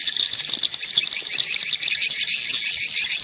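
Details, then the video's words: Swiftlets calling in a natural setting: a dense, continuous chorus of high, buzzy chattering twitters from many birds at once, with no pauses and no other clear sounds. "Suara Panggil Burung Walet Suara Asli dari Alam"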